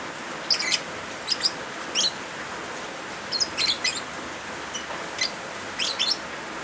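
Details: Lovebirds recorded with rain for training birds that stopped singing: short groups of piercing, high chirps in irregular bursts, some doubled and trilled, above a broad rushing rain noise.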